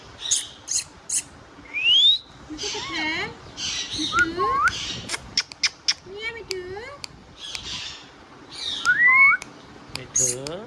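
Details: Indian ringneck parrot producing varied talking sounds: fast mixes of rising and falling whistled slurs, sharp clicks and harsh squawks, with layered voice-like harmonic syllables repeating irregularly throughout.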